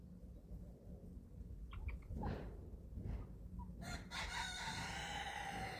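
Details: Eleven-week-old chicks at feeding time on a small family farm in Germany: a few short, bright harmonic notes near the two-second mark amid steady low rumble, then a burst of broadband rustling and clatter.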